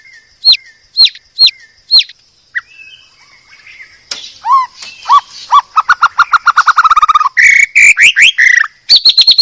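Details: Medan-type white-rumped shama master song for training cage birds: a few sharp repeated notes, then varied whistled phrases turning into fast rattling trills and quick rising sweeps, clear and loud.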